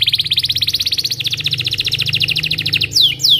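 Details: Belgian canary singing in the morning, a lure for juvenile canaries learning song: dense rapid rolling trill of repeated bright notes, then two sharp downward-sweeping whistles at the end.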